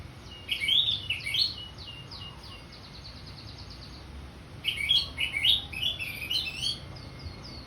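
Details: Orange-headed thrush singing in ngeplong style: two bursts of loud, rich warbled phrases with quick slurred whistles and twittery notes, separated by a quiet pause of about three seconds; steady low background hum.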